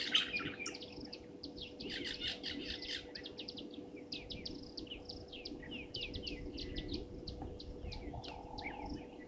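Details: European bee-eaters at Gowrie dam waterhole, Djuma Game Reserve, Sabi Sand Wildtuin, South Africa, at 17:00 on 15 January 2023, caught by a live camera: dense overlapping short, rolling chirps repeated rapidly throughout, over a steady low hum.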